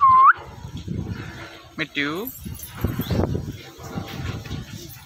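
A ringneck parrot gives a loud, short upslurred whistle, then a harsh, descending squawk, with background voices and low rumbling noise.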